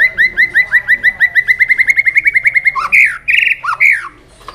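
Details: White-rumped shama singing with tail-flicking, played to excite young birds into song: a fast rhythmic run of about twenty-five short repeated whistled notes, then loud harsh chattering and squawky phrases.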